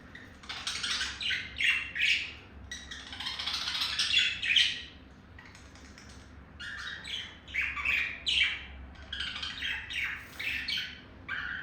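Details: Pet male budgie serenading a female during courtship; long chattering warble of chirps, squeaks and scratchy notes in rapid bursts, with a quieter lull midway.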